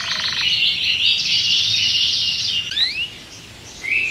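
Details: Agitated caged canary giving a sustained, buzzy high rattle for over two seconds, followed by a few quick rising whistled slurs and a brief return of the buzz.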